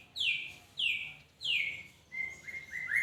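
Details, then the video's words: Magpie-robin giving three clear downward-sliding whistles about 0.6 seconds apart, followed by a quicker run of short rising notes, with faint low background hum. "Burung Murai berkicau"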